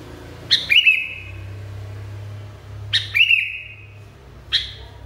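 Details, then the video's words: Sooty-headed bulbul in a very agitated state, giving three bursts, each of sharp clipped notes followed by a long, level, slightly fading whistle. Low background hum and no other birds. "KUTILANG NGAMUK PARAH"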